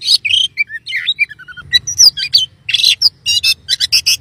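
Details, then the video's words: Oriental magpie-robin song, said to rouse other magpie-robins into singing: a fast, varied run of clear whistles, slurred notes and harsh buzzy bursts, with barely a pause, over a faint low hum. "kacer mana pun langsung emosi gacor dan ngobra"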